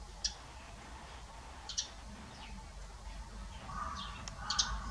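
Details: Eurasian tree sparrows checking out a nest box that blue tits used the previous year; sharp high chirps come at irregular intervals, a few short downslurred notes between them, over steady low background noise.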